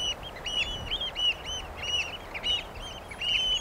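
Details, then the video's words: Common pied oystercatcher piping continuously, high shrill notes delivered in a rapid, rhythmic stream with some louder peaks among quieter overlapping calls. "The song of the Eurasian Oystercatcher"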